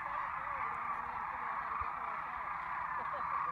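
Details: A flock of migrating sandhill cranes in flight over fields at Wilcox Playa gives a steady chorus of rolling, trumpeting calls blending into one continuous, throaty babble.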